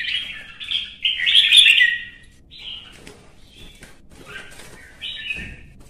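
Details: Red-whiskered bulbul in a singing contest opens with a loud, busy warbled burst, then gives quieter scattered chirps and a short whistled phrase before a faint thud.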